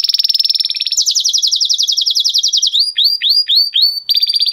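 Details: Male canary in excited 'mast' condition singing: a rapid buzzy trill of high repeated notes, then a faster trill a step higher, then slower downward-sweeping whistled notes and a closing rolled phrase.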